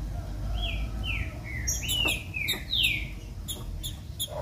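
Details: Female green-winged saltator singing to stimulate a male to sing: clear whistled notes that slide downward, given in quick succession, with sharp clicks and a steady low rumble underneath.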